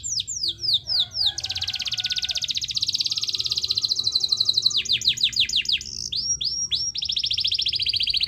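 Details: Canary song meant to trigger silent canaries to sing: quick falling whistled notes, then a long dense rolling trill held for several seconds, followed by more falling notes and a fast buzzy roll, loud and continuous.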